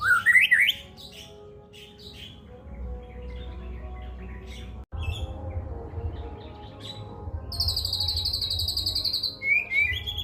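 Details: White-rumped shama singing cililin-style material: a loud whistled phrase at the start, then a long quieter stretch of faint notes, a high buzzy trill later on and a short rising whistle near the end, with low hum throughout.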